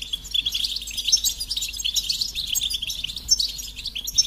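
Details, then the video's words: Continuous twittering goldfinch song, fast jumbled high chirps and tinkling notes running without a break over a faint low hum. "Experience the Goldfinch Singing"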